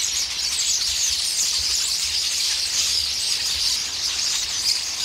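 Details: Noisy common starling flock squabbling in a pear tree while feeding on the pears; unbroken shrill twittering and scratchy chatter from many birds, evenly loud throughout.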